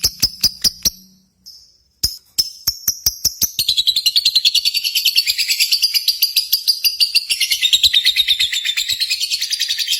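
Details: Contest lovebirds, whose sounds are meant to stir lovebirds kept at home: quick sharp chips, a pause, then a steady, fast, buzzy high-pitched chatter that runs on for six seconds.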